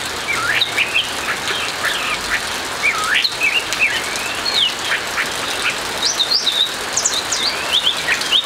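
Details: In the morning, an orange-headed thrush sings a steady stream of varied, clear whistled phrases, high and quick, with rising and falling slurs, over the even hiss of rain.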